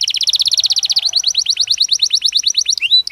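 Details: Belgian canary song for training pet birds: a long run of rapid repeated chirps, fast at first and then slightly slower, ending in a short rising whistle.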